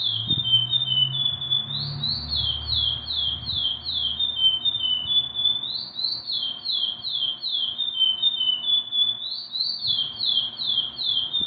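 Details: Curió (chestnut-bellied seed finch) singing without pause, rich whistled notes slurring downward in repeated series, with brighter rising phrases recurring about every four seconds; low rumble early on.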